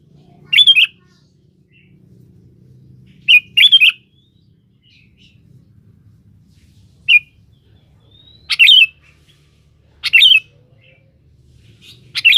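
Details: Vigorous singing of a sooty-headed bulbul calling a rival for use as a lure: brief warbled bursts of rapid liquid notes repeated at uneven gaps of one to four seconds over quiet low background hum.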